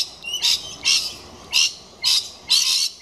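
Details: A galah checking out a nesting box put up for kookaburras gives a long steady series of harsh, rasping screeches, about two per second, with nothing else clearly heard.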